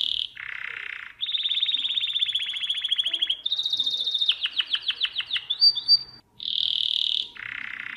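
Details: Tutor song of a domestic canary for young birds: alternating high and low buzzy trills, a long rapid rolling trill, a series of sharp falling notes, a short warble, then buzzy trills again.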